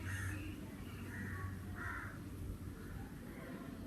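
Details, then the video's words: Crow in summer giving several short, hoarse caws in the first two seconds, fading out against a constant low rumble and faint distant voices. "sounds of the Crow"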